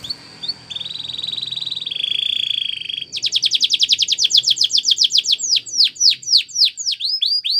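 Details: Spanish Timbrado canary training song opening with a steady buzzy rolling trill, then a long run of fast sharp repeated notes that slow into distinct swooping downslurred whistles.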